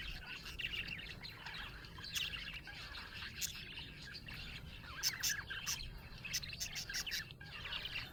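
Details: Colorful pet Australian budgies, described as happy, give a steady stream of bright, scratchy chirps and short tweets. The notes come in clusters with brief pauses over a soft low hum.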